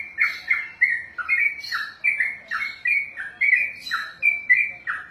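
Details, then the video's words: Kept contest sooty-headed bulbul giving ropel, its extended continuous song: around sixteen babbling, slurred notes at brisk tempo, a few harsher squawk-like edges mixed in, no other birds audible. "ROPELAN BURUNG TRUCUKAN TERPANJANG DALAM SEJARAH"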